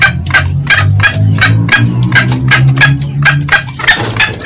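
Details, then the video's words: Green junglefowl, male and female, in a loud lure recording of cackling (ngekek). Short clucks come at an uneven pace, roughly one to two per second, above a prominent low humming drone. "SUARA PIKAT AYAM HUTAN HIJAU. SUARA JANTAN DAN BETINA NGEKEK."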